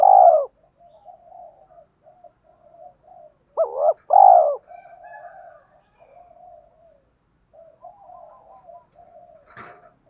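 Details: Spotted dove calling in a lure sequence of calling, urging and cooing: a long coo opens, then a quick double hooked note and a full coo, followed by soft murmuring and a brief click near the end.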